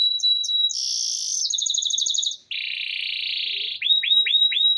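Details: Copper canary singing in Nevşehir, Cappadocia, Turkey: high thin trills, a fast buzzy rattle, a steady churring roll, then four repeated rising-falling whistled notes.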